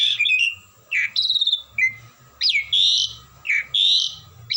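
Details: Asian pied starling, a kept songbird, singing without stopping: loud, varied phrases of sweeping whistles and harsh rising and falling notes, roughly one phrase per second, over a low steady hum.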